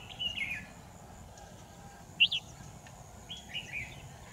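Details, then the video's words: Decoy red-whiskered bulbul, a big, long-crested bird used for trapping, on 10 December 2018, gives three brief bursts of clear whistled notes spaced over four seconds, the middle one a sharp double chirp. A steady high hum runs underneath. "Bẫy chào mào"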